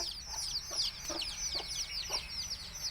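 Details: Country chicken chicks peeping while the mother hen calls them to eat; high quick descending chirps in a rushing stream, with soft low clucks roughly every half second.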